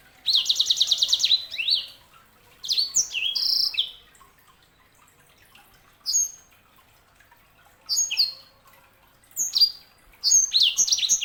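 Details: Canary hybrid song in short separated phrases: an opening fast rattling trill, then scattered sharp whistled chips and slurs repeated every second or two.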